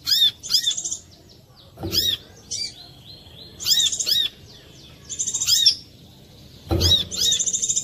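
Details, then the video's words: A Chinese hwamei sings loud, clear, ringing whistled phrases in quick bursts with short pauses, plus two low thumps; used as a lure call to prompt other hwameis, even reluctant ones, to sing. "suara pancingan korlap jernih"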